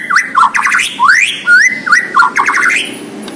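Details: White-rumped shama of the Borneo form, a caged bird in full song, pouring out loud whistled phrases that sweep up and down, some rising steeply and others dropping in quick slurred notes, with one rapid stuttering burst, filling the whole stretch.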